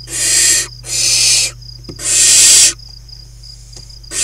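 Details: Nest box at Kibbutz Snir in Israel's Hula Valley holding five wild barn owl chicks at play, 28 June 2020; three quick rough hisses in a row, a silent gap, then another begins, over a constant shrill insect drone.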